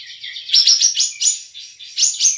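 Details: Olive-winged bulbul (kapas tembak) kept for an online singing contest in Singkawang, West Kalimantan. It gives a quick string of sharp, high chirping notes grouped in rapid clusters, with two louder bursts close together.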